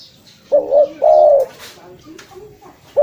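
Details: Spotted dove call for luring: one clear phrase of a quick double coo and a long sustained coo, followed by quieter, lower cooing and the start of another phrase.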